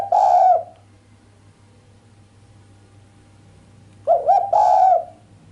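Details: Sharp cooing from a female island collared dove, delivered without the closing 'kuk' and said to excite the male: one throaty, wavering coo phrase, a pause of about three seconds, then two more close together, with a constant low hum underneath.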